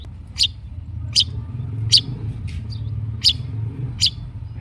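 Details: Long-tailed shrike in lively song, played to coax a quiet shrike into answering: short sharp high chirps spaced about a second apart, irregular, over steady low rumbling background noise.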